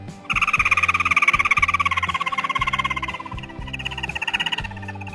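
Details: Chim mắt đỏ songbird delivering an extended, very fast, buzzy trill that drifts slightly downward and then rises again near the end, set against a throbbing musical beat.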